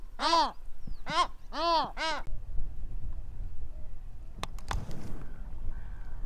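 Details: Pacific Gull recorded in Western Australia: four strong, arched calls in the first two seconds, then quiet with a few sharp clicks and low rumbling noise.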